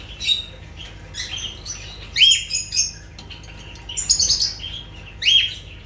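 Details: Lovebirds giving sharp, shrill squeaky calls and chirps in short bursts, several overlapping, high-pitched and piercing, with brief pauses between outbursts.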